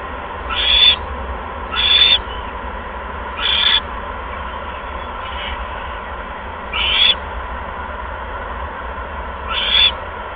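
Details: Owls at the nest at 8:38 PM on 16 February 2015 as a second mouse arrives; short rasping screeches repeated irregularly, about five across ten seconds, one fainter, with steady low hum beneath.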